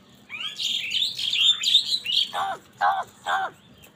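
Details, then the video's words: Amid a squabble for food, crows let out a stream of high, wavering squeals, then three evenly spaced, hoarse, lower caws. "Crow birds unity anger and sound | Crow bird live crowing sound | Angry kawaa ki awaz naturally"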